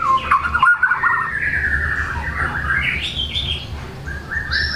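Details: White-rumped shama singing hard with imitated material, aimed at provoking silent shamas to sing: sweeping slurred whistles, a long rising-falling glide, then high thin sustained whistles; steady background hiss.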